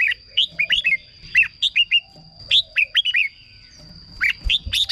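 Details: Caged red-whiskered bulbul, whose singing serves as a decoy or rouses other birds: cheerful, bubbling three- and four-note phrases dropping in pitch, repeated after short gaps, with a faint continuous high whine.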